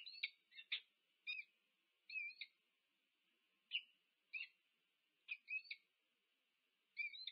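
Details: Wild peregrine falcon pair at their UC Berkeley nest in the USA, nest camera, 2 November 2022, meeting. Widely spaced sharp double notes, about eight over seven seconds, over a faint steady background tone.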